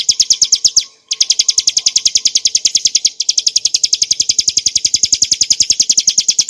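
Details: Bar-winged prinia in a clear continuous 'ngebren nembak' song for tutoring and provoking cage birds: high, bright chips repeated about three times a second, one short break near the start, then the rapid stream resumes.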